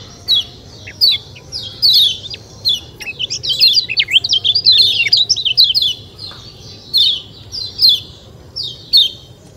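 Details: High, crisp chirps from a kecial kuning white-eye, spaced about a second apart. They build into a dense, jumbled twittering passage, then thin out again to single downslurred notes.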